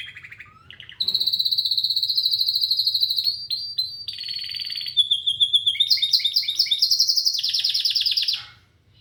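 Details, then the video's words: A canary sings a long, loud, continuous trill, shifting between rapid pulsed rolls, a buzzy stretch and fast high chattering phrases before fading out; low hum in the background. "Canary Singing"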